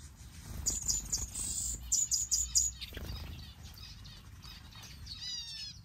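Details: Red-eared parrotfinch in an outdoor mixed bird aviary gives very high, thin tsit notes in quick bursts over the first few seconds, then fainter chirps from other small finches over a low background rumble.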